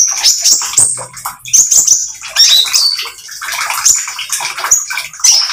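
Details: Energetic oriental magpie-robin with speckled plumage sings to lure other birds into singing; bursts of shrill whistled notes and scratchy chirps come in quick succession, with a brief low hum early on.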